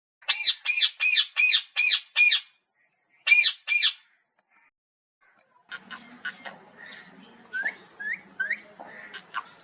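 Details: Parrot squawking harshly, seven rapid notes then two more after a pause. In the second half come softer, varied sounds: short clicks, chirps and small rising notes over a low murmur.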